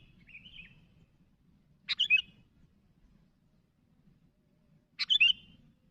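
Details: Sooty-headed bulbul calling to others: a faint whistled note early on, then two short bursts of sharp, bubbling notes about three seconds apart, with quiet low background hum.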